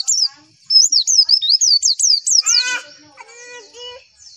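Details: Javan white-eye singing a fast run of high, sharp, zigzagging chirps, roughly three per second, followed by a few lower harmonic-rich nasal calls that trail off.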